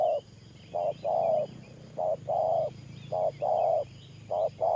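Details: Spotted dove kept as a trapping decoy, cooing in thổ pha style: mellow two-part coos, a clipped note followed by a sustained one, repeated evenly, with faint high twittering behind.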